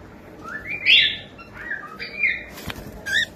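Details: Young pet cockatiel whistling, rising then level tonal notes in quick succession, a sharp click near the end.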